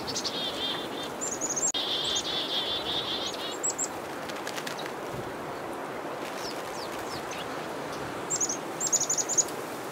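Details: Black-capped chickadees mobbing a northern pygmy-owl give high, thin chick notes followed by runs of harsh, buzzy dee notes in bursts, over a steady rushing background hiss. Black-capped Chickadee.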